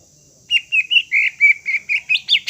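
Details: Greater green leafbird singing to rouse a bird that has gone silent: a string of clear whistled and slurred notes, some steady, some rising, about nine in two seconds.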